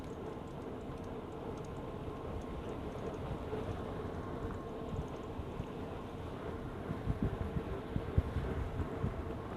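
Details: Low rumbling vehicle and wind noise with a faint steady hum and occasional knocks, no animal sounds.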